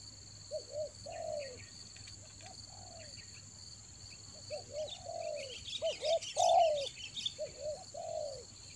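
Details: Rainy-season lure of spotted dove in Toba, raja angguk style: repeated soft coo phrases at moderate volume, mixed with chirping small birds and insect-like buzzing, plus a continuous high-pitched tone.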